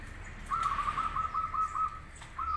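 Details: Zebra dove, local or crossbred type, giving a lure song for other doves to answer: one long, even run of rapid beaded cooing notes lasting over a second, then a fresh phrase beginning at the end.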